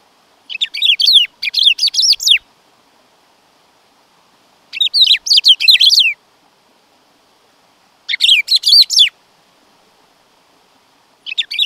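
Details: Black-throated grosbeak singing repeated phrases of quick, scratchy, downslurred notes. Bursts of about two seconds recur every three to four seconds, separated by quiet pauses.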